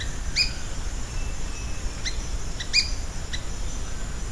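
Ochre-bellied flycatcher giving five sharp, high chipping notes at irregular intervals, two of them stronger, over a steady low rumble of background noise.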